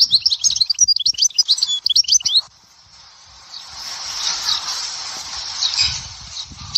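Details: European goldfinch from Souk Ahras, Algeria, Dahouara song style: about two seconds of quick, high, tinkling twitters and trills, then breaks off into steady hissing background noise.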